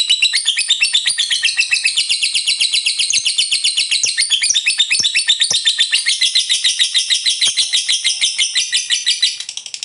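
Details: Energetic long-trilling lovebird in ngekek style, meant to goad rival birds into song: quick, shrill chattering pulses sustained throughout, fading abruptly at the very end.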